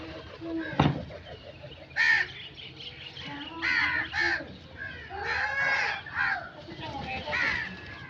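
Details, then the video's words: Crow calls: a series of hoarse, grating caws at uneven intervals over several seconds, with a sharp knock near the start. "Crow sound effects"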